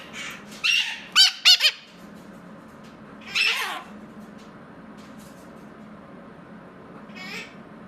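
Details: A pet mitred conure calling indoors: a quick run of harsh, scratchy squawks, then a longer raspy call after a pause and a faint call near the end over low room hum.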